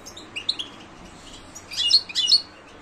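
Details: European goldfinch in silvestrismo context: a few scattered high chirps, then a brief burst of quick, bright twittering notes near the end.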